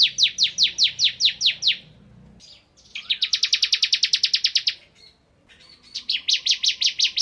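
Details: Ciblek kristal bar-winged prinia singing vigorously in the style known as nembak ngebren: rapid runs of sharp, high downslurred notes, one fast rattling burst after a short pause, then another series of repeated chips; quiet background.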